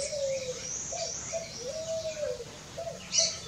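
Pale-vented pigeon giving low, mellow arched coos in a slow series, with a steady high insect hiss behind.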